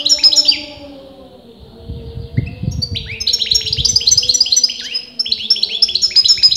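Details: European goldfinch, a bird whose sex experienced breeders disputed, singing continuously: fast liquid twittering phrases of short chirps, a pause, then a longer rapid burst. A steady low hum runs underneath.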